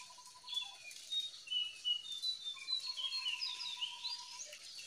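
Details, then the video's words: Free-living jongkangan recorded as a lure for quiet captive birds: busy, high-pitched chattering twitters rising and falling, with a long steady buzzing trill from an insect running beneath the birdsong. "SUARA JONGKANGAN DIALAM BEBAS SANGAT COCOK BUAT PANCINGAN JONGKANGAN ANDA YANG LAGI DIAM"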